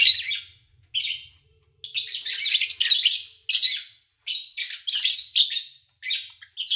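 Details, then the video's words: Owned lovebird recorded in August 2019 during a quiet period without engine noise: a busy run of shrill, grating chirps in quick clusters, with a faint low hum at the start. "Sounds of Lovebird Chirping"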